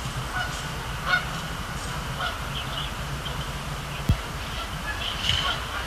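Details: Canada geese at Sapsucker Woods Pond, Cornell Lab of Ornithology, at night on 26 October 2017, flying over and landing; scattered faint honks through the stretch, a higher one near the end, beneath steady low rumble and one thump.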